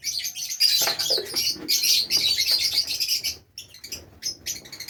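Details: Fischer's lovebirds in a home aviary in Safi, Morocco, keep up a fast, shrill, chirping chorus for about three seconds, then quieter scattered squeaks.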